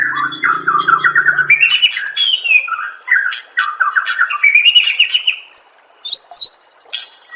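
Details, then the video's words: White-rumped shama master song meant to make listening shamas reply: rich run of rolling warbled notes, rising and falling whistles, harsh chattering bursts and high sharp notes, with a low hum early on. "MASTERAN MURAI BATU PALING DI CARI TAHUN INI || SUARA JERNIH ,BURUNG PASTI NYAUT DAN GACOR SEKETIKA"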